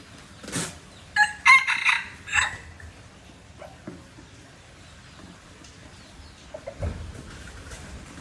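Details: Aceh junglefowl, an F1 bird, giving a short harsh crow of several quick broadband bursts just after the first second, preceded by a single brief note, then quiet with faint scattered sounds.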